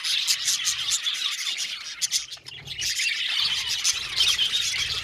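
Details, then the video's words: A colony of budgies chirps in quick bursts, about two or three sharp notes a second over a high warbling chatter that briefly thins midway before rising again. "Beautiful budgies chirping sound"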